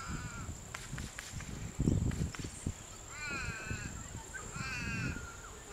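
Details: Purple swamphen pair tending their nest as one parent relieves the other: low thumping and rustling near the nest, then two drawn-out, quavering, bleating calls in close succession.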